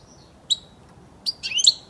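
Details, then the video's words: European goldfinch, a tutor recording for teaching young birds to sing, giving a lone high chirp and then, after a pause, a quick burst of bright, tinkling twittered notes. "صوت الحسون الاصلي خالي من الاخطاء لتسميع الحسون وتعليم الفراخ"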